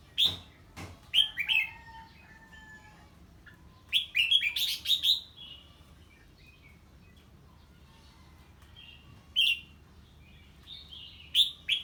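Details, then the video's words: Red-whiskered bulbul singing in reaction to an unfamiliar bird, with bursts of rich slurred whistles broken by quiet gaps, a dense run of quick notes in the middle, and clicks at the start. "Chào Mào Hót Ché Khi Nghe Tiếng Chim Lạ"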